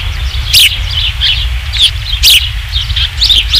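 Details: Nest-camera recording of ospreys at Dunrovin Ranch on 27 July 2016, evening, third fish brought in: bright high chirps in short bursts about every half second, broken by wind knocks and a steady low-frequency drone.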